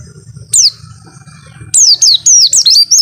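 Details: White-eye (pleci) tutor song in the long 'wit-wit' style. A single sharp falling whistle is followed by a one-second pause, then a quick string of high chirping and wavering whistled notes. A faint low hum sits underneath.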